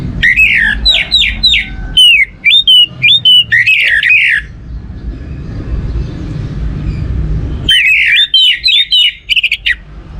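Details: An orange-headed thrush sings loud, repeated slurred whistles and chattering phrases, silent for a few seconds in the middle, then resuming; played to encourage other birds to sing.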